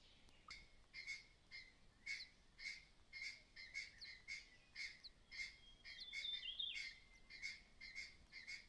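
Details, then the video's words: Mother bird acting strangely, warning of possible danger nearby with a clattering call: harsh, rasping notes repeated steadily about twice a second, each a short raspy burst, fairly faint against a quiet hiss. "The mother bird is acting strangely, making a clattering sound—there may be danger nearby."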